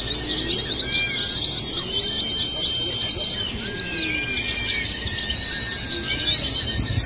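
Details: Javan white-eyes heard as a contest-style chorus, scratchy high-pitched twitters pouring out without pause, louder peaks now and then, and soft whistled tones underneath.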